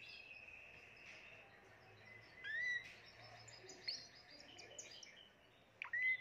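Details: Timbrado canary, seventh bird of a 2020 collection, singing soft varied chirps and a sustained tone, with two loud rising whistled notes near the middle and at the end.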